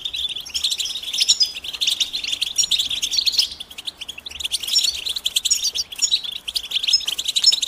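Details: European goldfinch twittering mating calls that encourage silent males to sing: two intense bursts of rapid, metallic chirps separated by a quieter stretch, with a third lively burst closing the clip.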